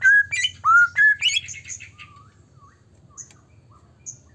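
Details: White-rumped shama singing, used to provoke rival shamas: a few loud rising and level whistles with a chattering burst open the passage, then the song fades into scattered soft low whistles and a few high thin notes over a faint hum.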